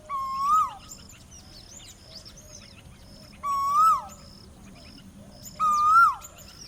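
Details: A male Asian Koel gives its breeding-season call, three loud, clear whistled notes, each rising then dropping, about every two and a half seconds. Small birds twitter faintly behind.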